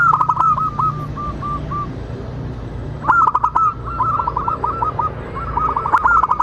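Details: Local zebra dove song used to encourage other doves to sing: a fading run of rapid coos, a pause, then two lively rolling phrases of purring notes, with clicks and low background hum.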